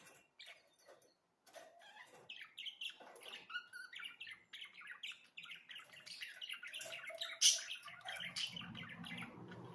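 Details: Budgerigars chattering continuously: dense, scratchy warbling with squeaky rising and falling notes and one sharp shriek, over faint low background noise.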